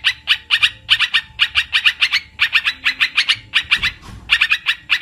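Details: Olive-winged bulbul trapping lure call, crisp and loud: dense, rapid chattering notes in quick pairs and triplets, with one brief soft rustle toward the end.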